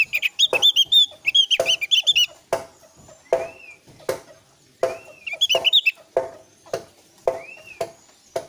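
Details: Javan grey-throated white-eye, a lure to set other white-eyes singing: rapid, lively chattering bursts of high twittering notes alternating with rising-falling arched whistles, over steady sharp clicking or tapping sounds.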